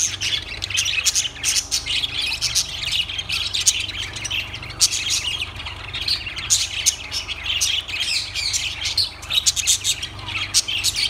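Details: Lovebirds in dense, continuous high-pitched chatter: rapid scratchy chirps and squeaks overlapping without pause, with a constant low droning hum underneath.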